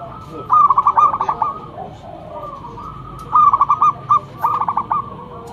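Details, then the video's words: Lure zebra dove from Indonesia, a loud local bird, singing two clear bouts of rapid, evenly spaced coo notes in rolling phrases with a quiet gap between, background otherwise calm. "Perkutut lokal gacor mental bagus suara NYARING pikat super"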